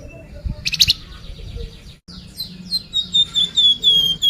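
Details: Sunda pied fantail song meant to prompt birds to sing: a brief harsh buzzy rattle, a pause, then a series of repeated high whistled notes, steady in rhythm and slowly descending in pitch.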